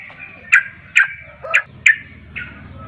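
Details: Yellow-vented bulbul in the lively 'ropel' singing style, played to coax a reluctant caged bird into answering: four short, bright, clipped notes about every 0.4 seconds, then a softer fifth note, over a low background rumble.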